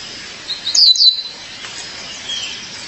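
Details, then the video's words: Female violaceous euphonia calls to her mate with two quick, high, down-slurred chirps in close succession, then quiet. "Fêmea de Guriatã, chamado seu parceiro"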